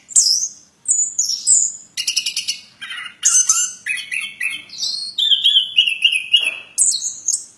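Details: Plontang bird in strong, varied song: high downslurred whistles, then rattling buzzy trills and a run of repeated clear whistled notes, delivered fast and loud.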